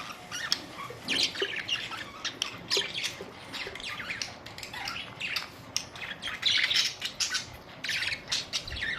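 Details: Several budgerigars on April 19, 2023, keeping up steady squawking chatter of short harsh chirps and buzzy notes, densest around the middle and toward the end, with low background hiss.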